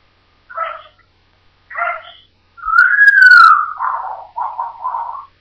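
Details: African grey parrot kept as a pet, playing without fear: two short harmonic speech-like syllables, then a long smooth whistle that rises and falls, followed by two buzzy lower notes; no other clear sounds.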